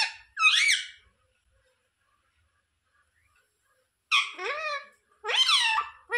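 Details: Pet parakeet indoors gives three harsh squawks, separated by a long silence; each squawk is raspy and falls in pitch.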